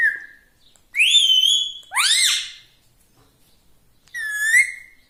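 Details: Pet parrot indoors giving mimicked whistles: a short level whistle, a long bright sustained note, an arching hoarse syllable, then after a pause a wavering whistled phrase.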